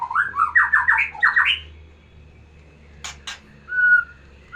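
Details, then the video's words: Song of a white-rumped shama, played to rouse breeding desire in a female: a fast run of rising, slurred whistled notes, then a pause, two sharp clicks and a short clear whistle. "kicauan murai batu biar pancing birahi betina"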